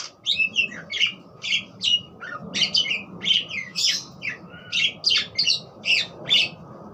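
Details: Budgerigar chattering song: rapid, busy bursts of bright chirps and short squawky notes, several per second, with pauses between phrases, over a quiet low hum indoors.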